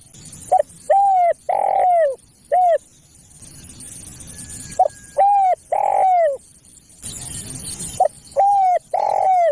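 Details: A spotted dove's luring call, rich and harmonic: a brief note, a long coo, a second coo and a short closing note, heard as two full phrases separated by a hissy pause.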